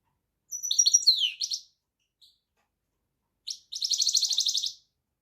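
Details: Goldfinch song with a quick twittering phrase that falls at its close, a tiny chip, then a dense buzzy rattling trill of rapid repeated notes lasting about a second.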